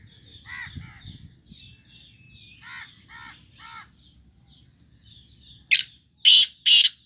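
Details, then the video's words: Black francolin giving three loud, harsh, grating bursts in quick succession at the end, after a few faint nasal notes and low rumbling. "black francolin voice"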